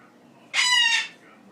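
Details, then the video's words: A caged pet Goffin's cockatoo, excited and hopping on top of its cage in the evening, gives an unusual goose-like honk: one loud, harsh, nasal squawk about half a second long, rich in overtones, in a quiet indoor room. "Silly Goffin sounds like a goose"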